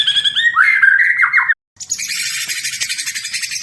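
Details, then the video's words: White-rumped shama, Medan variety, delivering a burst of chirpy, slurred whistles and quick rising notes for about a second and a half, then a brief silence followed by steady broadband hiss. "Murai medan nagen full mental pembunuh"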